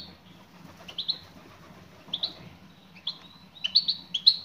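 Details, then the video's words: Calling female European goldfinch answering toward a male, with spaced pairs of short upslurred tweets that speed into a rapid run of chirps at the end. "بتبتات أنثى مقنين أسمعها مقنينك وشاهد ماذا سيفعل حينما يسمع نداء الأنثى"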